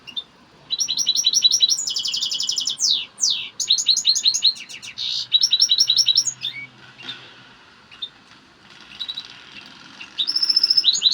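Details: Excited European goldfinch song: long runs of fast, tinkling twitters and buzzy trills, briefly broken by pauses, then resuming in a quick ripple of high notes.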